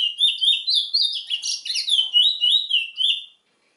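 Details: Trinidad bullfinch, or chestnut-bellied seed finch, sings a rich continuous phrase of whistled, slurred notes with some buzzy blended tones in the middle, ending cleanly after about three seconds.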